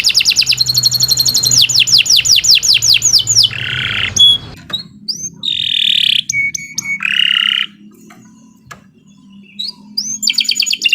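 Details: Canary singing full power: rapid falling chip trills, harsh buzzy bursts and short high pips separated by pauses, with a low humming background throughout.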